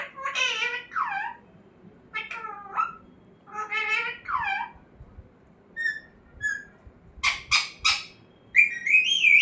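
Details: Talking pet parrot runs through several speech-like harmonic phrases with curving pitch, then short whistled notes, clicks and a closing warbled whistle, indoors.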